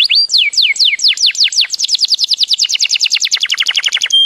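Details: A bird sings a few slower, sweeping downslurred notes that speed into a dense, rapid trill of repeated descending chirps, ending on a brief steady high whistle; no background noise.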